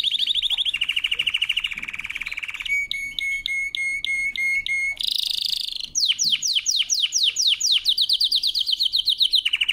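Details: Powerful canary song for training, a chain of varied tours: a fast trill, a lower rolling trill, spaced pure piping notes, a harsh buzzy burst, then swift downward-swept whistles.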